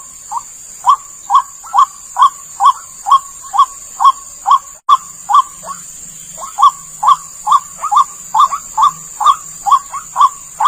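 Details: Calls of the white-breasted waterhen, used to lure the bird: a long, fairly regular series of short clipped mid-pitched notes, a brief break midway, a faint low hum and a constant high-pitched whine behind.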